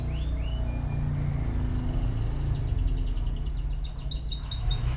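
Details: Canary singing high, thin, rising notes, first spaced, then a dense run of quick repeated upslurs, with a low hum underneath.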